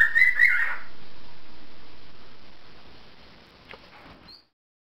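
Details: Pet cockatiel whistling in a duet with a canary, the two listening and reacting to each other: a bright, brief whistled phrase, a happy tune sung in courtship or friendship.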